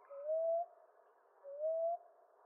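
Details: Two drawn-out, softly rising coos from a common ground dove, about 1.4 seconds apart, over a quiet hiss.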